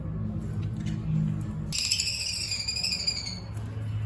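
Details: Irani Yekshar canary holds a bright, steady, ringing high note for nearly two seconds, which fades near the end, over a constant low hum.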